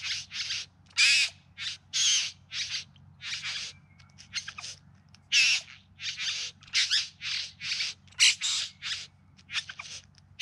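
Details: A bowerbird in the Yarra Valley near Melbourne, September 2020, gives harsh, hissing rasps and churrs, two or three per second, uneven in length and loudness, in a scratchy courtship display.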